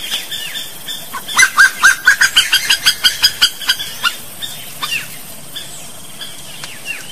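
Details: Slaty-breasted wood rail of Brazil delivering a loud rhythmic chorus of harsh notes, about two per second, swelling then fading, with thin high chirps of other birds around it.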